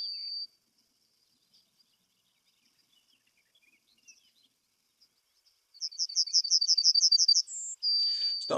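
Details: Male Yellowhammer in breeding plumage, singing from a prominent perch: a quick run of about ten high, thin repeated notes, a brief higher note and a long drawn-out final note, the 'little bit of bread and no cheese' pattern.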